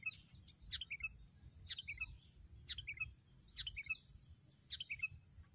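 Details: Sooty-headed bulbul heard while birds are trapped with racik sticks: short bright chirping phrases, each a sharp note dropping into two or three quick twittering syllables, repeated about once a second over a steady high hiss and low rumble.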